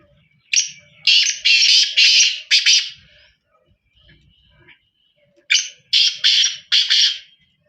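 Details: Harsh, scratchy call of the black francolin: a phrase of five quick rasping notes, a pause of about two seconds, then a second phrase of four similar grating notes.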